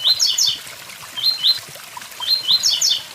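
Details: Tiziu, the blue-black grassquit, singing close to a waterfall: loud buzzy clusters of quick stepped notes, roughly three phrases in three seconds, with rushing water filling the background.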